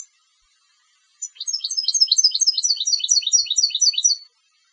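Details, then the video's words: Competition goldfinch song: one sustained phrase of about three seconds made of quick, evenly repeated tinkling notes, bright and metallic, steady in pace, in a quiet setting. "Canto del Jilguero de Concurso"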